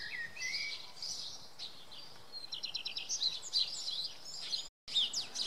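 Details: Common redstart singing early on a Monday morning at Oksywie, Poland: high, thin whistled and twittering phrases, with a quick run of repeated notes midway, among other birds in the background dawn chorus.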